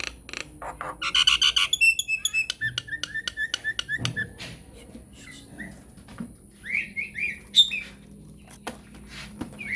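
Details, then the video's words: Nias hill myna lure song to set off a silent myna: a dense burst of squeaky, chattering notes and clicks, then quieter scattered whistles and squeaks with pauses. "SUARA PANCINGAN JALAK NIAS GACOR BIKIN JALAK MACET LANGSUNG NYAUT"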